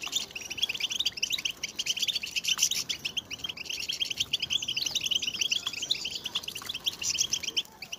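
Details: A chorus of goldfinches with mating and readiness calls meant to spur males into song; many bright, rapid chirps and rolling twitters crowd together nonstop, rising and falling in busy overlapping bursts.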